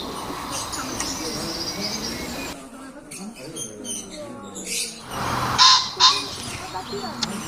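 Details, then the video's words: Lady Amherst's pheasant gives two loud, harsh, rasping calls close together near the end, over a noisy background of chirping and what sound like voices. "Lady Amherst's pheasant"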